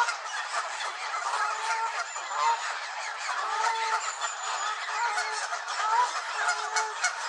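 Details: At Elvaston Castle on 3-10-15, angry Canada geese call together in a dense, unbroken mass of nasal honks. Lower drawn-out notes stand out now and then against the chorus.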